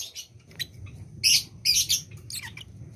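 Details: A lovebird in breeding condition gives a few sharp, scratchy high chirps in quick succession, the loudest two bursts close together near the middle, over a low steady hum.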